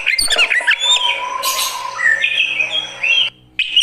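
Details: Fighter Oriental magpie-robin reacting: harsh squawks at first, then drawn-out whistled notes and rising slurs over a faint low hum, ending with a sudden brief silence and a final note.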